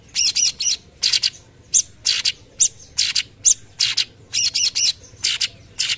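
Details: Cucak cungkok singing actively in a rapid "tembakan" burst style used as tutor song: harsh, buzzy chattering notes in short clusters with thin high whistles, about one burst per second, over a quiet background.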